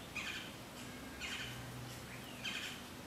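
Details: A Clay-colored thrush (Turdus grayi) at Tzununá, Lake Atitlán, Guatemala, a species said to call in the rainy season, gives three harsh, nasal squawking calls, about one every second, over a low steady hum.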